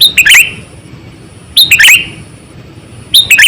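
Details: Sooty-headed bulbul, a lure bird of about eight to nine years used for trapping wild birds, giving bright chirpy phrases repeated roughly every one and a half seconds, each a quick cluster of high notes with a buzzy slur, over low background rumble.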